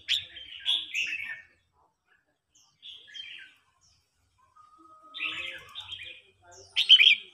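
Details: Red-whiskered bulbuls in a singing duel, an old wild-caught bird provoking a young one; a few bright warbling phrases separated by long silences, the final burst loudest.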